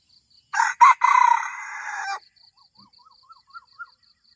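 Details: Red junglefowl used as a decoy to draw in wild junglefowl, a newly trained bird: one loud, harsh, strained crow lasting under two seconds, then a run of soft rising clucking notes over steady pulsing insect chirps.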